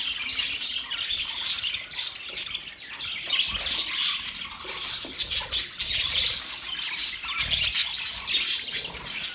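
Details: Group of budgerigars on a 1 October 2023 morning, producing a long run of mixed chirps, whistled warbles and harsh squawks, overlapping densely with uneven loud peaks.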